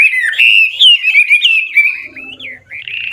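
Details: Chinese hwamei, a mature wild decoy bird, singing continuous looping whistles to spur young captives to sing; a smooth wavering whistled run, then a pause with faint low chatter before two more rising slurred notes.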